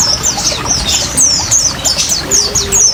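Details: Fast 'ngriwik ngalas' twittering of oriental white-eye, meant to lure and stimulate caged birds, combined with trickling water: dense run of sharp, high descending whistles, overlapping and unbroken for the whole stretch.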